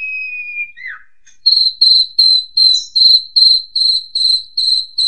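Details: Asian pied starling singing as a master song for training young birds: a long high whistled note that slides down, then a steady run of short bright piping notes repeated about two and a half times a second.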